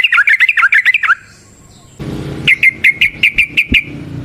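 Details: Wild yellow-vented bulbul with 'ropel panjang' rolling song, used for luring. A quick run of bubbling notes, a pause with low rumble and a knock, then an evenly spaced string of chirps.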